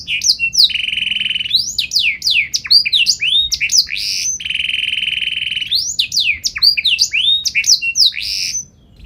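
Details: Canary singing in 'gacor nembak' style with special 'cengkok' phrasing, meant to prompt other canaries to answer: a long steady buzzing trill, then rapid sweeping whistled notes, repeated with another steady trill and bright slurred phrases.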